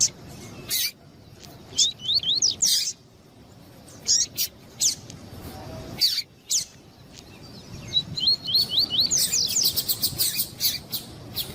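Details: Double-collared seedeater male answering a female, used to excite caged birds for singing contests; scattered scratchy chips and clicks, then a rapid string of rising whistled notes and dense buzzy pulses near the end.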